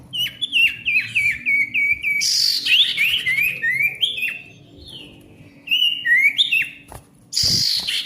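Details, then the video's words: Ashy tailorbird, a male, in lively busy song: rapid series of short descending whistles, a harsh bright chattering patch, more sliding whistles rising and falling, then another loud rasping burst near the end. "SIRTU GACOR RIBUT COCOK UNTUK SIRTU MACET BUNYI AGAR GACOR KEMBALI"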